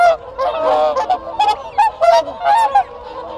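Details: Close, loud contact calls within a group of whooper swans: rapid, clipped trumpeting honks in quick succession, about one and a half per second, with softer flock calls beneath.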